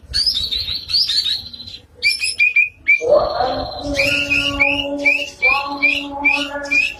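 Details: White-rumped shama singing lively, varied phrases: high trilled notes, then a lower sweeping whistle and a series of clear, rising whistled notes repeated about every half second, over a soft steady low tone.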